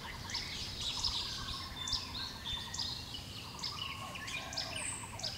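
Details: Russet sparrows, a rare and declining species in Taiwan found only at a few sites, seen in southern Taiwan, give bright, quick chirps and short trills, several birds overlapping throughout, over a low rumble of background noise.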